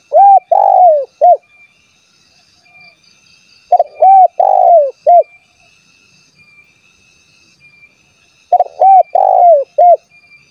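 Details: Spotted dove coos meant to make rival and wild doves answer and come closer: three four-note phrases roughly every four seconds, each a quick short coo, two drawn-out curved notes and a clipped ending.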